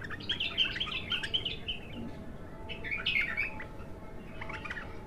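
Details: First song session of an untrained bulbul: rich, bubbling warbled phrases that come in two main bursts, broken by short chirps. A low steady hum runs underneath throughout.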